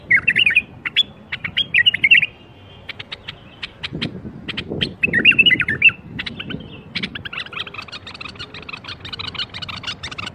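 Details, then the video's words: Bulbul singing to prompt other bulbuls to sing: warbled phrases and sharp notes early, then a dense run of fast chirps toward the end over low background noise. "أقوى برواز بلبل ممكن تسمعه لفتح البلابل القافله"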